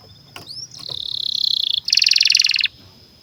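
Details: Domestic canary singing a long song used as a master to train young canaries and silent birds: a rising whistle, then a fast buzzy trill near 4k, then a louder rapid rattling roll, ending abruptly.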